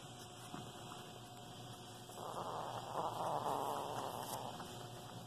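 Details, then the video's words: Pet Senegal parrot at home copying the sound of a demolition hammer picked up while workers tore up floors: one sustained grating, buzzy rattle lasting over two seconds, swelling then fading, with quiet room noise. "the Senegal Parrot makes the sound of a demolition hammer"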